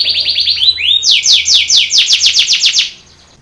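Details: Contest training song of a Belgian canary: quick high chirps lead into a string of loud downward-sweeping whistled notes repeated several times a second, ending in quiet after three seconds.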